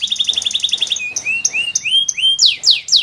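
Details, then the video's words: Canary song segment: a very fast high trill, then rising slurred whistles at varied pitches and finally loud steep downward sweeps, all bright and clear. "Best Canary Singing - Very strong canary chants"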